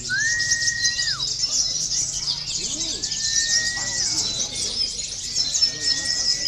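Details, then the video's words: Local olive-backed sunbird singing, kept as contest-training therapy: a continuous, rapid, very high-pitched twittering chatter, overlaid by three long, level, slightly rising whistled notes about two seconds apart, with faint low murmuring beneath. "KONIN LOKAL BERAKSI || bisa juga buat terapi lomba"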